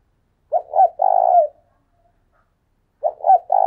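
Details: Calling decoy spotted dove. It gives a three-part phrase of two short coos and a long, buzzy, quavering coo, then starts the same pattern again after about a second and a half of silence.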